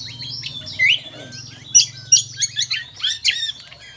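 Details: Lombok kombo, endemic to Lombok island, singing loud shrill notes: sharp chirps and quick upslurred whistles in a burst of rapid phrases, over a steady low hum.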